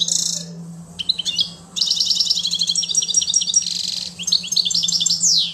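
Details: A European goldfinch in Quetta sings a fast, tinkling, high twittering of liquid notes and trills in quick bursts, over a low steady electrical hum.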